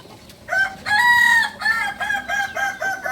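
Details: Beginner Balenggek rooster, a native breed from Solok, West Sumatra, giving its kukuak balenggek crow: a short opening note, a long sustained harmonic note, then a series of four short stepped syllables in quick succession.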